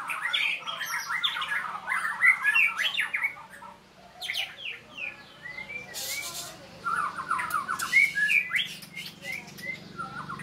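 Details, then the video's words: A white-rumped shama in training and sparring sings rapid chattering phrases and sharp whistles in bursts, with a quieter gap midway and a few clicking noises. "murai latihan gacorr"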